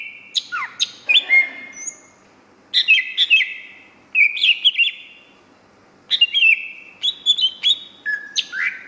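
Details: Greater green leafbird in gacor song: bursts of quick varied whistles and slurred notes, separated by pauses of about a second, in four phrases.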